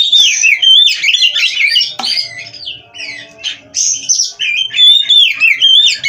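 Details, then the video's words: Oriental magpie-robin (kacer), captive bird from an Indonesian breeder, singing a loud varied sequence of whistles and rattling chatter, broken by a brief click and short gap before resuming strongly. "GACOR NONSTOP!! Rahasia Kacer Bikin Semua Kaget!"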